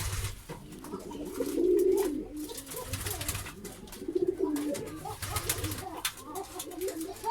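Pigeons give low, throaty rolling coos in two main bouts about two seconds apart, with softer cooing between in an enclosed space.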